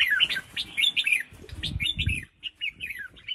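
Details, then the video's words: Female red-whiskered bulbul calling to prompt males to sing. Quick chirpy whistled phrases are repeated in short bursts with brief gaps, alongside soft low thumping and knocking noises in the background. "Chào Mào Mái Kích Trống"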